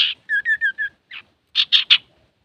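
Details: Male Common iora singing, used to draw other birds into song: a quick rasp, four short paired whistled notes, a soft slurred note, then three loud harsh chips in quick succession.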